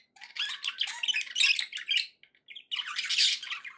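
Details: Several pet budgerigars give a scratchy, rapid warble of mixed squawks and chirps, pausing briefly around two and a half seconds before a second loud chattering burst.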